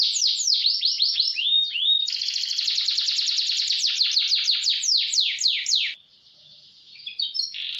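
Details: Canary fast-roll training song: quick downslurred whistles and a rising note lead into a long, dense rapid trill of falling notes, followed by a short pause and brief closing chirps.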